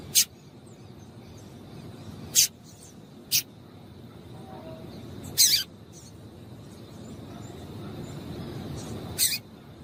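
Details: Sparse high calls of a female double-collared seedeater, played to excite a male: brief sharp notes spaced two to three seconds apart, about five in all, over a faint continuous hum and low noise.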